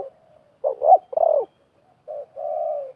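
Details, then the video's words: Spotted doves, one wild and one a decoy, calling back and forth at a trapping site. A rolling double coo, a strong slurred coo, then a short coo and a longer level one, all low-pitched. "TERKUKUR LIAR DAN PIKAT BERADU/BERLAGA HEBAT"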